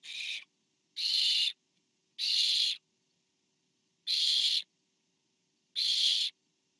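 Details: A parent barn owl brings food to an owlet at the nest, filmed by a nest camera, 24 September 2015. Breathy, rasping hisses of about half a second come in an uneven series of five, with longer gaps midway.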